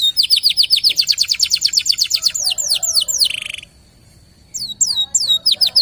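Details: Local canary lure song: a fast series of repeated falling whistled notes and a short buzzy trill, a brief silence, then more sharp swooping whistles.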